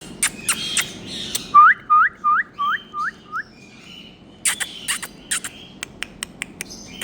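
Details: Rose-ringed parakeet, a green Indian ringneck parrot: a quick series of about seven short rising whistled notes, framed by sharp clicks and scratchy chatter.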